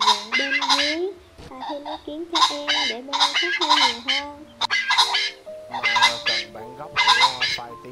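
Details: Red and green pheasants, male and female, in a flock-calling lure recording, give harsh, raspy bursts of calls several times over eight seconds, over steady stepped background music that was inserted into the recording.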